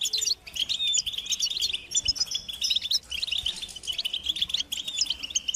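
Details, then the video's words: Several European goldfinches chatter together in a motivational recording used to make silent captive males sing. Constant bright, high-pitched twitters and liquid trills overlap without pause. "بتبتة الحسون تحفيز الحسون على التغريد والهيجان علاج صمت الحسون goldfinch stimulation"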